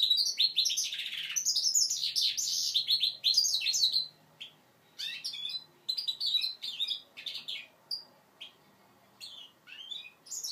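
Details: Song practice by a five-month-old goldfinch mule: a loud burst of fast twittering and buzzy notes for about four seconds, then scattered short chirps and brief phrases separated by silent gaps.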